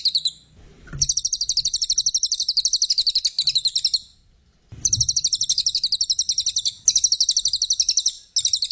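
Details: Brown cililin as a master tutor bird, singing extended bursts of quick, bright, pulsing high notes, with pauses between long phrases.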